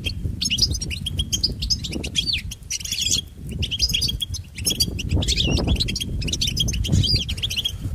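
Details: Long, continuous twittering song of a European goldfinch, used to train pet goldfinches. Quick chirps and rising and falling slurs run almost without a break, over a strong low-pitched rumble.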